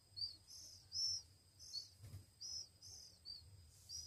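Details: Softer begging from one-week-old Oriental magpie-robin chicks being hand-fed: a run of short, thin, hissing rasps at irregular intervals over faint background noise, with a dull thump midway.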